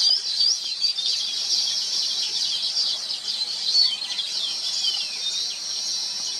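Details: Steady shrill chattering from Baya weavers (Thookkanam Kuruvi), a dense wall of high squeaky notes with faint falling slurs, filmed with a Nikon P1000 camera.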